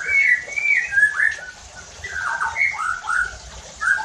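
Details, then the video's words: White-rumped shama singing a lure song intended to stir other shamas to sing harshly: loud, rich whistled phrases that slur up and down, delivered in a flowing series with short gaps. "PANCINGAN EFEKTIF JADIKAN MURAI BATU NEMBAK KASARR UNTUK MENINGKATKAN EMOSI DAN BONGKAR ISIAN"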